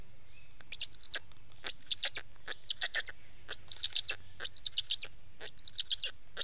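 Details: Black stork giving rough, hissing calls topped by thin, high whistles, roughly one burst per second, irregular in rhythm, with steady low background noise.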